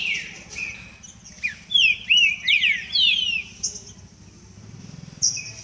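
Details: A Green-winged Saltator warming up in front of an audience sings a burst of loud, clear slurred whistles, rising and falling over about two seconds, with softer notes around it and a low hum behind.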